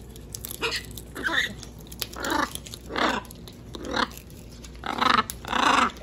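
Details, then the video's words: Wild macaws on a visit to a balcony give a run of coarse, grating screeches about once a second, irregular in timing and loudness, with soft rustling noises between the calls. "Visita de guacamayas silvestres a mi balcón"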